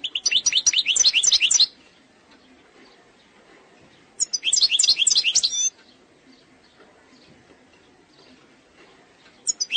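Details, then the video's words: Algerian European goldfinch, described as eastern sector and singing flawlessly, sings two bright, tinkling bursts of rapid, liquid twitters, each one to two seconds long, separated by quiet pauses. "تغريد مقنين"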